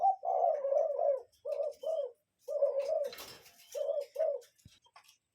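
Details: Cuckoo sounding a run of full, hollow hoots, several fast notes then separate pairs, interrupted briefly by a rustling noise in the middle; little else audible.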